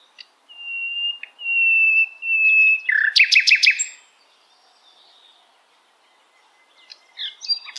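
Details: Sikatan londo, the common nightingale, in full song: three long, even, pure whistles held steady, then a short explosive burst of loud buzzy notes, a pause, and soft scratchy notes starting again.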